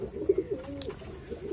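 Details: A pigeon gives a deep, wavering coo that swells and dips, followed by a fainter coo near the end; a brief click sounds midway.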